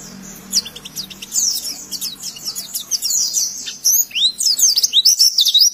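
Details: Oriental white-eye singing as a tutor recording for young birds: dense, very high twittering with sweeping slurred whistles, growing louder and faster toward the end over a soft low hum.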